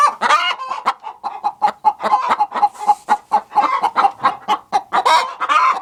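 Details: Chickens in a productive hen house. Dense, steady clucking is repeated several times a second, with overlapping hoarse calls from several hens throughout.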